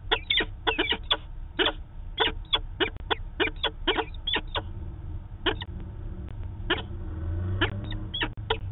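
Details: Daily meeting of a peregrine falcon pair at a nest site in Manchester, New Hampshire, 2 September 2018, from a live camera feed: dense runs of raspy repeated notes, then sparser calls, over a rumbling low drone.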